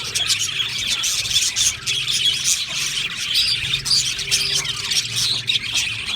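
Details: Many budgerigars in an aviary, singing and chirping. Rapid, warbling chatter and occasional squawks are heard over a faint, steady low mechanical hum.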